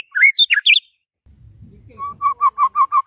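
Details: White-rumped shama singing in the morning: a quick burst of varied whistled slurs, a short low rustle, then a steady series of clear repeated whistled notes.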